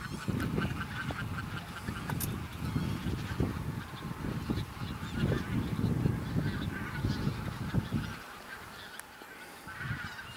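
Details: Thousands of Bean Geese gathered in a field on Texel, the Netherlands, 22 November 2014: steady massed honking and gabbling from the flock, partly masked by strong gusty wind rumble that briefly drops away near the end.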